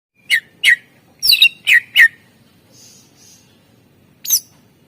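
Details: Greater green leafbird (cucak ijo) in lively 'isian' (filled) song, from a master recording used to prompt quiet birds to sing: five sharp, chirpy notes in quick succession, a pause with faint high tones, then one more bright note.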